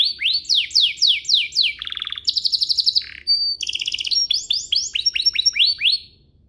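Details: Canary song used as a lure (pancingan) to rouse other canaries into singing: a run of quick rising swept notes, then a buzzy trill, a rapid clicking roll and more upward sweeps, all high and loud.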